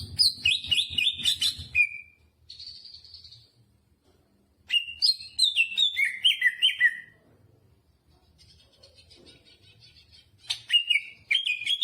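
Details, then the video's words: A greater green leafbird pours out full song including jamtrok phrases: quick, buzzy-edged runs of sliding whistles, a sustained trill, then descending slurred notes separated by short pauses, with a low hum early on. "Burung cucak hijau gacor istimewa full muntah isian jamtrok"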